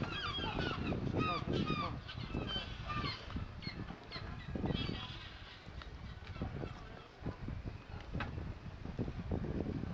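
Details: Young gull chick at Bridlington harbour, North Yorkshire, in October 2010, giving rising, squeaky whistled calls in quick succession at the start, then quieter among wind, harbour noise and voices.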